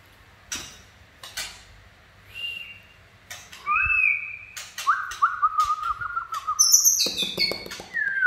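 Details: White-rumped shama in 'chạy cầu' song, quieter: scattered clicks, short whistled notes rising in strength, a long slurred whistle, then high thin notes and sharp clicks near the end.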